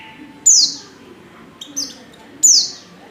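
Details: Calling female white-eye in breeding condition, summoning a male. Three thin, high, downward-slurred notes come at uneven gaps over a faint background hum.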